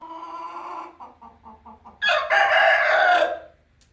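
An Aseel rooster trails off a drawn-out call, gives a string of soft quick clucks, then launches into a loud, harsh, strained crow lasting over a second.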